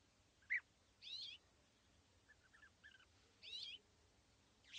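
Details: European bee-eaters, a pair sitting together in small trees 80 metres away at East Leake Quarry on a very sunny July 2017 morning, giving two rolling, purring trills separated by a few soft lower notes.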